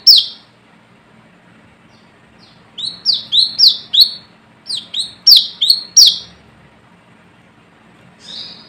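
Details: Brown-throated sunbird calling rivals: scattered high chirps, a quiet stretch, then a rapid burst of sharp, down-slurred notes, another pause and one final call.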